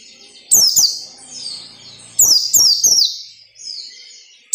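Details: White-eye delivering ngalas nembak song for training captive birds: a single high sweeping note, a pause, then a quick triple of shrill descending whistles, another starting at the end.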